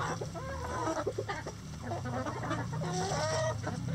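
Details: Coop chickens uttering soft clucks and a couple of longer, slightly rising calls above a constant low droning hum.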